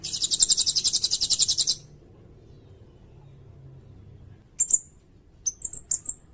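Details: Sirindet, recorded for tutoring songbirds and luring: a long rapid high trill of about fifteen even pulses, then silence, followed by a few sharp high chips and short whistled notes.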